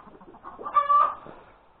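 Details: Hen calling after laying an egg at breakfast time on Sunday, January 31, 2021: soft low clucks lead into one loud, nasal, drawn-out harmonic squawk near the middle, then fading quiet clucking.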